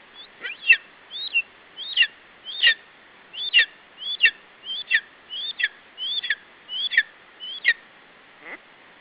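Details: Lesser spotted eagle nestling in Estonia, 21 July 2012 near 17:12, protecting its food from an adult at the nest. About a dozen shrill, piercing yelps repeat at a brisk, fairly even pace, then stop.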